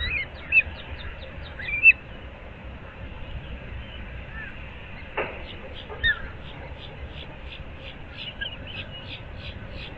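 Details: Osprey at its nest in Moorings Park, Naples, Florida, early morning on 15 April 2024: faint, distant-sounding high chirps repeated steadily, a few louder notes near the start, one sharp knock midway, low rumble beneath.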